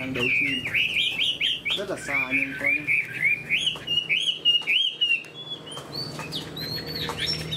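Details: Caged Chinese hwamei that displays its wings eagle-style, singing a rapid series of rolling whistles and trilled notes, steady and loud, with a few higher sharp phrases near the end.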